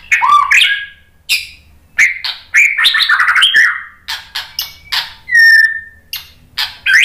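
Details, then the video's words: White-rumped shama song used as a pancingan lure to excite shamas into answering. Harsh chattering and whistled phrases are mixed together, with one long, steady, pure whistle near the end. "SUARA MURAI BATU Untuk Memancing EMOSI JADI NYAUT GACOR"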